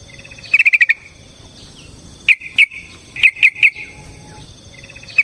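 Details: Yellow-vented bulbul singing a long fighting song aimed at provoking another bird: a rapid five-note trill, a gap, then spaced sharp chirps in pairs and threes over a low hiss.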